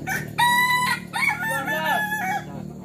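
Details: Kukuak Balenggek rooster at a Sawah Lunto crowing contest practice opens with a sustained level note, then breaks into a string of wavering, dipping syllables that fade out within three seconds, with a faint low hum.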